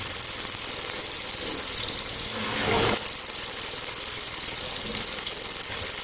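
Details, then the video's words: High, rapid trill from a cililin in loud, sharp, clear 'tembakan' style, meant as a model for songbirds to imitate; continuous shrill pulsing with one brief gap around two and a half seconds. "TEMBAKAN ‼️BURUNG CILILIN‼️ SEPERTI KESELEK SANDAL😂KERAS TAJAM DAN JERNIH"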